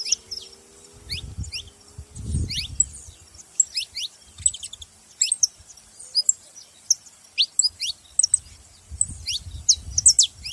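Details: Saffron finches chattering: scattered thin high chirps and short whistles spread over ten seconds, with low rumbling noise early on and again near the end.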